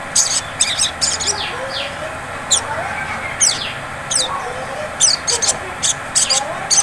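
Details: Sunbird lure song in ngleper style to provoke ngriwik singing: very high sharp chips and short rattles scattered through, with softer lower warbling, rising notes between them and steady background hiss.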